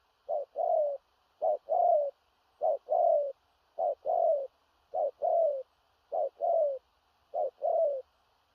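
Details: Spotted dove, a large-bodied bird, in loud thổ rặc cooing with gù cà lăm stutter: paired phrases, a short low note then a longer falling coo, repeated about once a second, clean background.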